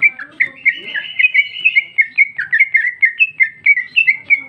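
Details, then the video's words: Singing female greater green leafbird delivering its ngeplong song full of isian phrases: a fast, steady series of bright, bouncing whistled notes, about four per second, all at a similar high pitch over a quiet background. "Cucak ijo betina paling gacor ngeplong isian super mewah"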